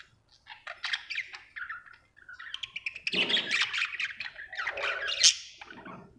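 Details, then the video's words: Contented budgerigar warbling in a varied, rambling chatter of scratchy chirps, short whistles and lower grating notes, with a sharp squeak near the end. "Happy budgie chirping sound"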